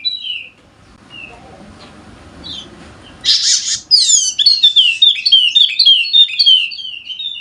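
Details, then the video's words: A golden-headed Wallacean white-eye, endemic to Sumbawa, used to stimulate silent birds, starts with a few sparse chirps over faint rumble, then after a loud hiss breaks into rapid, high, cascading twitters about four per second. "Pancingan Khusus Untuk Burung Pleci Wallacea Yang Malas Bunyi Agar Rajin Bunyi Gacor!!!"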